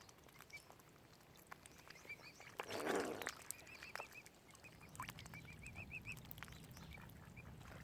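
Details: Tiny furry baby mute swan cygnets at Lough Neagh, Oxford Island Nature Reserve, Ireland: thin, arched high peeps repeated in loose runs, with a brief splashing rush midway and a low background murmur.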